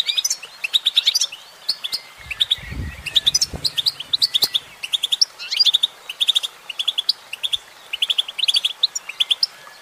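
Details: Singing female goldfinch giving a dense run of sharp, high chirps and tinkling twitters, phrases repeating in quick succession, with a short low rumbling thump partway through.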